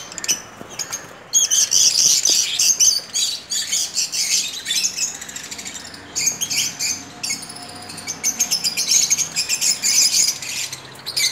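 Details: Lovebirds in a breeding colony setup give a dense, overlapping chorus of shrill, high-pitched chirps and squeaks in rapid bursts several times a second, with brief lulls.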